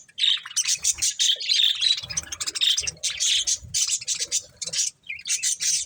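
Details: Pet budgies eating corn, chattering in quick high chirps and warbled twitters, steady bursts separated by brief gaps, with faint low knocks from feeding.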